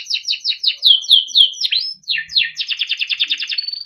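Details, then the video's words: Timbrado canary song used for training: rapid series of high repeated notes in trills, a run of falling slurred notes, then a fast buzzy rattle of even pulses ending in a steady held high tone, clean background. "Canary Bird Singing - Timbrado canary singing beautiful melodic songs for training and listening"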